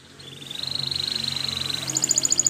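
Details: Spanish Timbrado canary training song: a long, rapid, even trill of high metallic notes that steps up to a still higher, sharper trill near the end, with a low steady hum behind.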